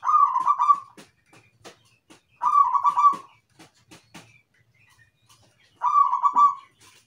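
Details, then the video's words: A zebra dove, used as lure audio, gives three bursts of rapid, rolling staccato coos, each about a second long and spaced a few seconds apart, with faint chirps and clicks between them. "PERKUTUT IRAMA - GACOR"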